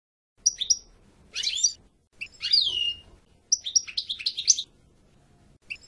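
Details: Goldfinch song comes in broken, scratchy phrases of high twittering notes separated by short gaps, over faint low background noise.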